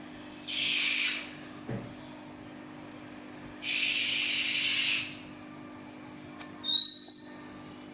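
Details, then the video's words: Oriental magpie-robin in continuous ngacor song, noted for its unusual voice: two long rasping hissy bursts followed by a bright rising whistled slur, phrases spaced a few seconds apart over a faint constant hum. "Burung Kacer terunik suara nya ngacor"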